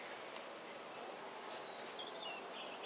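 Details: Short-toed treecreeper recorded on 13 March 2018 in rural central France, Nouvelle-Aquitaine: short, very high, thin notes with slight up-and-down inflections, given in two loose bursts, against a steady hiss.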